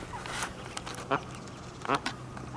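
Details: A female mallard with about twelve just-hatched ducklings, leading them into the reeds for safety from gulls and magpies, gives two short, nasal, rasping quacks less than a second apart over a faint steady hum.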